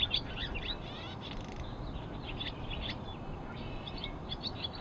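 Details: Barn swallow (Hirundo rustica) giving quick, high twittering chirps in scattered bursts over a steady low rumble of wind or distant traffic.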